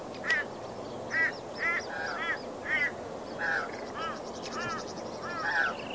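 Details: Plumed whistling ducks with young near Moggill, Queensland, Australia: clear arched whistles, about eight spaced roughly half a second to a second apart, over a constant background hiss with faint high twittering.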